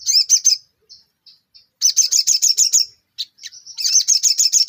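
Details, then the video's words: Ruby-cheeked sunbird singing in full 'nembak' style, its song said to set other sunbirds singing: bursts of very high, rapid, buzzy stuttering notes separated by short thin whistles and pauses. "sogon gacor full materi nembak"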